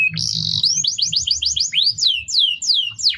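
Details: Canary training song for other birds: a steady buzzy note leads into rapid looping whistled syllables, then slower deep downward swoops, over a low background drone.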